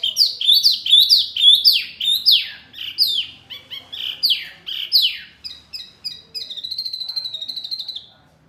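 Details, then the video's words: Bird song from a masteran (tutor) recording for Murai, Kacer, Cucak Ijo and Jalak: a quick run of about a dozen loud downward-slurred whistles, then a wavering, buzzy trill that fades out. Background otherwise quiet. "Masteran burung Murai, Kacer, Cucak ijo, jalak, pasti NYAUTTTTT"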